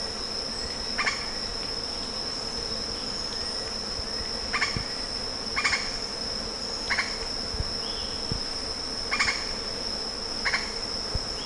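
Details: Lettered aracari (Pteroglossus inscriptus) giving short, harsh, clipped notes every one to two seconds, singly or in quick pairs, over a steady high-pitched insect whine.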